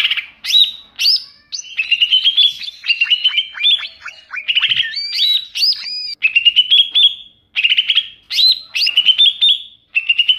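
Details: Wild greater green leafbird calls, used as a lure for wild birds: varied loud whistles, short rising and falling notes and slurred upswept phrases in broken bursts, with brief pauses between groups.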